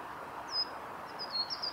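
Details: A bathing coal tit gives thin, very high, sibilant call notes, one short note and then a quick run of several, over steady hiss. Recorded 1 May 2016 at Kawaguchiko Field Center, Japan.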